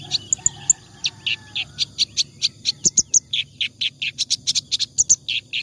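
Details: Clamorous reed warbler in nonstop ngacor song, meant for training other cage birds: a steady run of short grating chirps, about four per second, with a few thin high squeaks mixed in.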